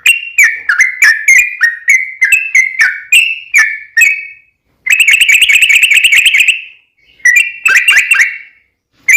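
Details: Sooty-headed bulbul song used as a lure to make other bulbuls sing: loud, fast series of short whistled notes around the upper midrange, with long rapid trilled bursts, brief pauses between phrases, clean background.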